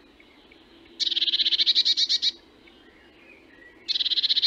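Eurasian blue tit giving two fast, buzzy, high-pitched churring rattles of about a dozen notes each, over a faint low hum.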